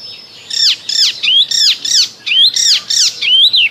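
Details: Icterine warbler singing in spring: loud, clear phrases made of a run of four downward-sweeping slurred notes about every half second, then several arched rising-and-falling whistles repeated in quick succession, over a quiet background.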